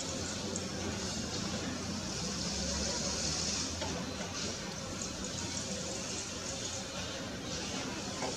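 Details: Steady rushing, water-like hiss fills the whole stretch, with no clear animal call standing out.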